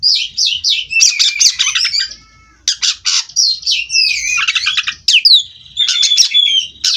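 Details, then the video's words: White-rumped shama (kacer) bred in Cirebon, singing without stopping: quick falling whistled notes, loud rasping bursts and sweeping slurred whistles, with a few short gaps between phrases. "Kacer Ini Ngerol Tanpa Henti"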